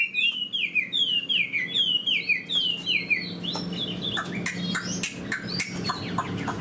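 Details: Captive Chinese hwamei, a fan-tailed fighting bird, opens with a string of clear down-slurred whistles repeated about twice a second, then breaks into scattered sharp chips and warbles over faint room hum.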